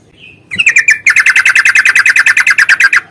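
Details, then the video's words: Fighting 'ropel panjang' song of a yellow-vented bulbul, meant to provoke other birds into singing: a soft whistled note, then a long, steady stream of rapid, evenly spaced chattering notes lasting about two seconds. "trucukan gacor tarung ROPEL PANJANG pancingan trucukan agar bunyi"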